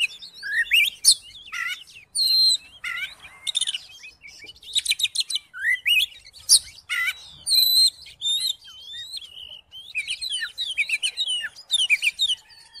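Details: Oriental magpie-robin singing to goad another, quiet magpie-robin into song; a long rapid medley of sharp chirps, clear whistled notes and scratchy trills, delivered in dense bursts with brief gaps.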